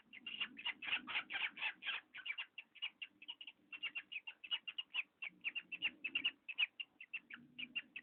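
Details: Squeaking parrot: a rapid run of short, high, grating squeaks, louder and denser at first, then steadier, with a faint hum behind.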